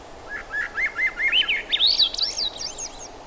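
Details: Thrush singing a fast, continuous warble of zigzagging whistled notes that climb steadily higher through the phrase and then flutter at the top, over a steady background hiss.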